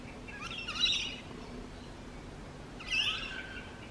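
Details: Rainbow lorikeet in urban eastern Australia giving two harsh, raspy screeches about two seconds apart, each short and high-pitched with a buzzy, grating texture over quiet background noise.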